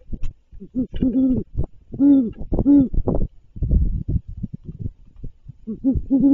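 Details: At a great horned owl nest during a food delivery, low harmonic hooting notes come in uneven clusters, several drawn out and steady, broken by shorter clipped notes and soft rustling sounds.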